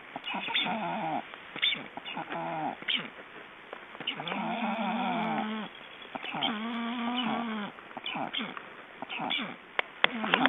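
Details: Black storks handled for ringing in Estonia, 29 June 2012, give a string of wavering, nasal bleats and shorter broken notes, some rising and falling, with clicks and handling noises between them.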